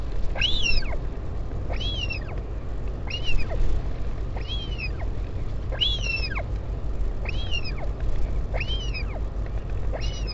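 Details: Repeated calls from a northern royal albatross during a parent's visit to the chick, 16 July 2019, at the Taiaroa Head colony near Dunedin, New Zealand. Eight arched, whining whistles come at steady intervals of just over a second over low wind rumble.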